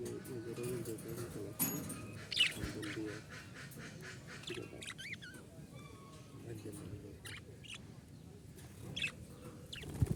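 Budgerigars chatter with quick warbling chirps and squawky notes over a low background hum.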